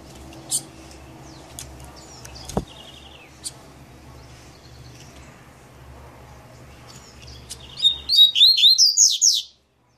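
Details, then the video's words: Double-collared seedeater singing the maninho style of song: after a quiet stretch with faint scattered chirps, a loud burst of about six quick, rising, slurred high notes lasting around one and a half seconds. "COLEIRO MANINHO"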